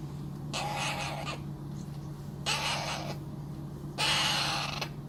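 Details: Young Alexandrine parakeet being hand fed utters three rough, hissing rasps, each under a second long, spaced about every one and a half seconds, with a background hum and room noise.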